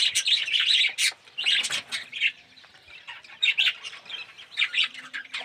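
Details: Aviary colony of budgerigars with red-eyed, yellow birds; overlapping warbling chatter and sharp squawks from several birds, coming in uneven loud waves separated by brief quieter gaps.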